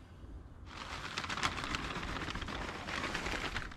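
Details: Quiet background suddenly gives way to dense crackling, rain-like noise that continues to the end.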